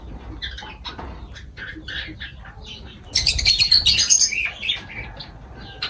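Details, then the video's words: Lovebirds during feeding, with quiet chirping that breaks into a loud, dense run of shrill, rapid squawks for about a second and a half. It then settles back to scattered high tweets. "Love birds voice sound"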